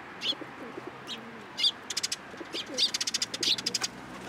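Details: Sparrows hopping onto a hand to take food at a Tenmangu shrine, 13 April 2023; quick, bright high chirps speeding into a rapid chattering run, with soft low pigeon cooing beneath.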